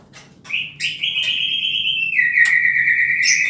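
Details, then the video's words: Wild white-rumped shama of the Bohorok type in forest, giving a long sustained clear whistle that holds steady then steps slightly lower, broken by a few sharp clicks, ending with a quick rising note; faint low hum beneath. "suara asli hutan murai bohorok"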